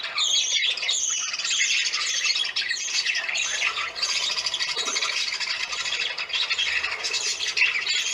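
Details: Several parakeets calling for attention during a family visit: a dense, continuous chorus of harsh, high chattering squawks and chirps overlapping with no pauses.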